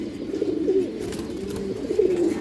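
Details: Many pigeons kept for sale in Jatrabari produce overlapping low coos, with two louder rolling, slightly rising coos early and late in the clip against a murmuring flock.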